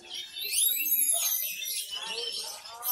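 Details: A captive Oriental magpie-robin (contest bird, just finished moulting after three months' rest) sings a rapid, unbroken stream of high, bright whistles, arching sweeps and buzzy trills, with faint chatter of other birds behind.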